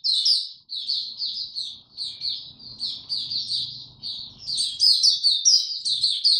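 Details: Warm, very humid day, 26 March 2022, white-eye singing: quick high chirps in short clusters building to a louder, denser twittering finish, over a soft low hum.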